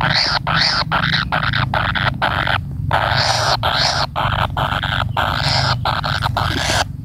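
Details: Kingfisher chick waiting for its parent, giving harsh, raspy, noisy begging bursts in quick succession, each about half a second long with brief gaps, nearly continuous over seven seconds.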